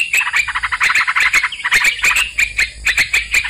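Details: Sooty-headed bulbul sounds played as a lure for trapping birds: dense, bubbly chattering notes in quick overlapping bursts, mixed with sharp clicks and a steady thin high whine throughout.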